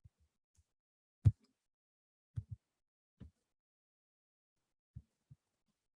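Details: A few scattered low thumps and knocks break an otherwise near-silent background, with no animal calls.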